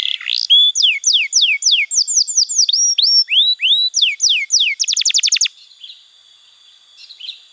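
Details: Domestic canary singing masteran phrases meant to teach young birds: a string of clear downslurred whistles, each about a third of a second apart, then a quick burst of very rapid ticking notes, then near silence.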